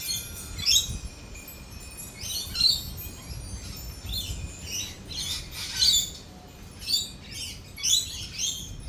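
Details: Lorikeets at a cafe during rolling thunder and lightning give harsh, high screeching bursts, spaced irregularly about one to two seconds apart, over a steady low background hiss.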